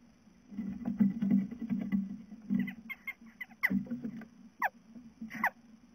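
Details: Western jackdaw chick leaving the safety of its nest box for the wider world; heavy scratching and thumping dominate, then a few short, harsh, rising-and-falling calls near the end.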